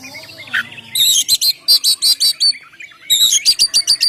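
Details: Oriental magpie-robin singing in the loud, clear ngeplong style, a recording used to lure birds and make them sing; bright, sharp high notes repeated rapidly in two bursts of about eight and six notes, separated by a short pause.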